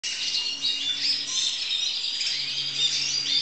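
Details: Crested canary recorded in 2012, described as a student singer, giving a dense, continuous high warble of quick twittering notes and short whistles, steady in loudness throughout.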